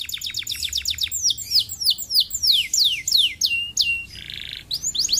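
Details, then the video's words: Canary song played as a lure to prompt lazy canaries to sing back. Quick run of repeated high downward-sweeping notes, then slower, longer whistled down-slurs, a brief buzzy rattle, and more sweeps at the end. "PANCINGAN KENARI MALAS LANGSUNG NYAUT"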